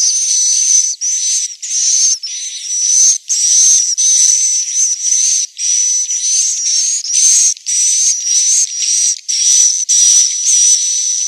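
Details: Swiftlet inap calls recorded in Central Sulawesi, Indonesia: long harsh, hissing bursts with a steady high whistle running through them, separated by brief gaps, about a hundred bursts per minute.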